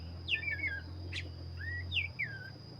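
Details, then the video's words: Black-breasted Oriental magpie-robin singing vigorously: a few sparse, clear whistled phrases that slide downward, with one short burst between them, over a constant high tone and a loud low hum. "burung Kacer dada hitam gacor"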